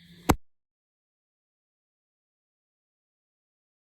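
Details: A single sharp knock or plop just after the start, followed by complete silence.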